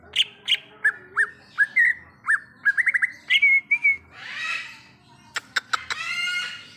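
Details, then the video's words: Greater green leafbird singing in the wild: a varied run of whistled, slurred notes around the middle-high range, with quick chattering phrases, a buzzy rasping burst near the end, and a faint low hum beneath. "Suara Asli Cucak Ijo | Suara Alam Cucak Ijo"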